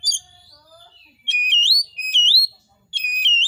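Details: Oriental magpie-robin, or kacer, singing vigorously in a recording meant to trigger other magpie-robins into song. Loud clear whistles rise and curl upward, repeated three times in quick succession after a faint thin whistled opening.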